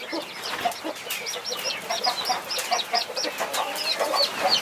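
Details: A hen keeps watch over her 21 chicks while the young chirp continuously in high, short, slurred notes, with scattered low clucks and some rustling.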